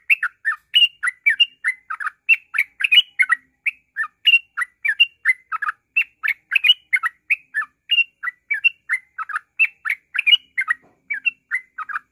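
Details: Yellow-vented bulbul in ngropel singing style, used as a lure to prompt other birds to sing: a long, unbroken run of short, bubbly, warbled notes, several per second, in a steady chattering stream without pauses.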